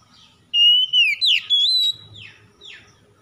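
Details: Lure song of an oriental magpie-robin at morning dew, used to spur stressed magpie-robins into song: one long steady whistle followed by rapid sliding and twisting whistled notes, then fading downward sweeps.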